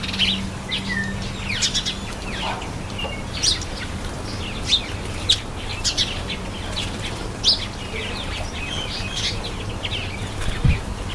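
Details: Cape sparrow bathing: scattered bright, high chirps and short tweets throughout, with a constant low background hum and a brief low thud near the end.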